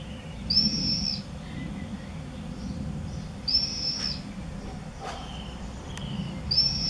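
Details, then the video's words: Common swift 'bangers' at observation nest-box entrance holes in a Beek-Ubbergen home, Netherlands, 8 June 2014. Three shrill, drawn-out screams spaced about three seconds apart, with a few faint clicks between. "Bangers bij observatiekasten"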